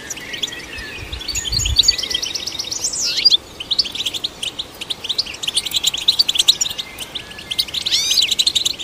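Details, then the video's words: European goldfinch song used to stimulate goldfinches, opening with a low muffled bump and then a quick metallic twitter broken by sharp rising slurs near the middle and end. "Golden Songbird vocal performance to stimulate the goldfinch"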